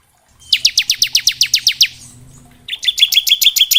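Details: Bar-winged prinia in varied ngebren song for training young birds: a string of about eleven crisp downslurred notes, followed by a faster, steadier buzzy trill.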